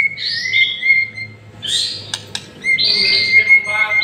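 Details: Lure song of a white-rumped shama, a masteran track meant to set a bird singing hard: sustained clear whistles with higher overtone-rich phrases, two sharp clicks midway, then a long bright whistled passage ending in fast chatter.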